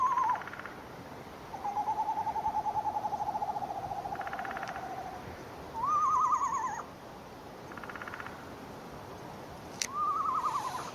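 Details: Eastern Screech-Owl calling in daylight or evening while still light, switching back and forth between a quavering, descending whinny and a long, even, mellow trill; a faint high insect hum runs underneath.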